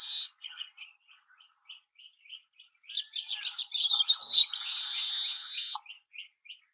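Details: Baya weaver singing: a brief high buzz, then soft scattered chips, a quickening run of sharp chattering notes, and a long wheezy hiss held for about a second before a few final ticks.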